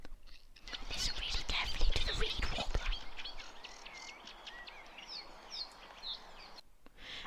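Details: At Rutland Water Egleton reserve, England, on a bank holiday, 2 May 2022, a man talks quietly, then a loud Eurasian reed warbler's chattering song follows from a bush: quick, scratchy, repeated phrases at a steady, jerky pace.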